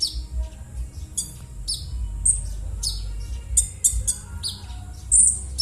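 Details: Konin bird giving its rough call, used as a lure to get silent konin birds singing: sharp, harsh high chirps and short downward-sweeping notes repeated irregularly, with a few brief buzzy bursts over a steady low hum.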